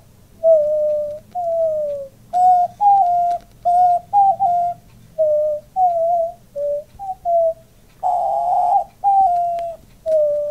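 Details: Pet male diamond dove cooing indoors alongside its owner, puffing up as it calls; soft, mellow, tonal coos, some short and some drawn out, repeated in a steady run over ten seconds, mixed with the owner's own imitating coos.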